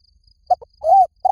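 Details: Spotted dove calling, used as a lure to draw in wild doves: two short clipped coo notes, then a longer arched coo near the end, low, mellow and hollow, with a quiet background.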